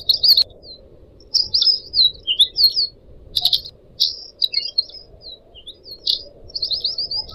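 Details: A Pied Triller song tutor track, taken from four caged pet birds with different owners and set against the sound of trickling water. Quick runs of high, sliding whistled notes and chattering trills come in clusters with short pauses.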